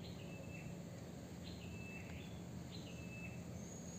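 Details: Blue-crowned hanging parrot calling-lure recording meant to provoke rivals. It gives thin, high, slightly buzzy notes about every 1.2 seconds over a steady low hum and background noise.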